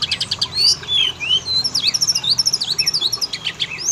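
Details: Oriental magpie-robin song intended to prompt males and females to sing: loud slurred whistles and rapid varied chirps, sweeping up and down in a dense, continuous medley.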